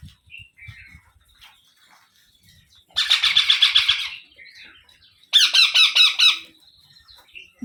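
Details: Young Indian ringneck parrots being fed by an adult that brings up food it has eaten; two loud bursts of fast, rasping, pulsed squawks, each lasting about a second, with faint chirps and low knocks between.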